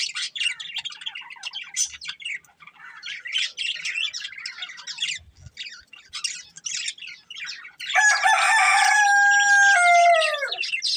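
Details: Budgerigar breeding pair warbling in scratchy chirps for about eight seconds, then a loud, steady, harmonic squeal that holds and drops away at the end.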